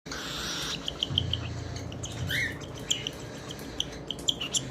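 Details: Cockatiel; begging call; chick begging for food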